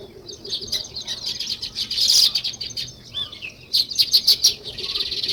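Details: Natural sparrow chirping, attributed to weaver birds: bursts of crowded, sharp high chirps from many birds, rising to a louder cluster near the middle and a quick run of distinct chirps toward the end.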